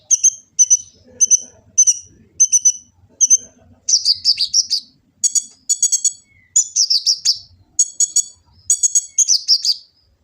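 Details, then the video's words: Sunbird (kolibri ninja) from Gresik, East Java, recorded on an Android phone, singing a varied 'full isian' song used as a master to train birds: repeated sharp high whistled notes at first, then denser buzzy twittering phrases. "Kicau burung kolibri ninja full isian cocok untuk pancingan & masteran burung konin jadi gacor"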